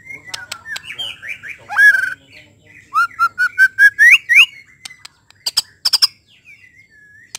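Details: Song of a white-rumped shama used to stir other shamas to sing: scattered sharp clicks and whistles, a loud slurred phrase, then a run of eight ringing notes climbing in pitch, more clicks and a soft closing whistle.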